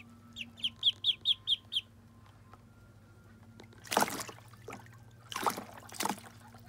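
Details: At their first bath, Muscovy ducklings give a rapid run of six loud high peeps, followed by several bursts of splashing water and a soft background hum.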